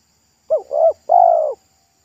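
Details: Local wild spotted dove singing in the pesom style by a roadside, its voice thick and loud, before it took fright at a passing motorbike and flew off; a short low coo, a second mellow coo, then a longer drawn-out coo.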